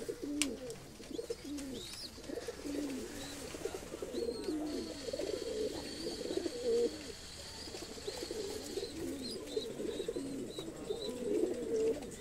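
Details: ['Fancy domestic pigeons in a loft: a dense, overlapping chorus of low throaty coos and gurgles runs through the whole stretch. Thin, high whistled tones drift in above in the middle.']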